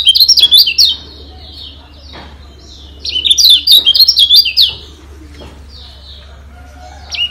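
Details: Kecial kuning of Lombok, a yellow white-eye, giving training song to stir other birds into agitated, persistent singing: two bright bursts of rapid high twittering and slurred chirps, with quiet stretches between and a faint low hum.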